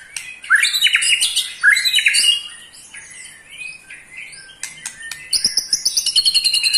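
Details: Eight-month-old captive white-rumped shama of the pastol type giving a rapid rattling trill said to provoke other shamas, loud varied whistled phrases then a fast series of sharp repeated notes, several per second.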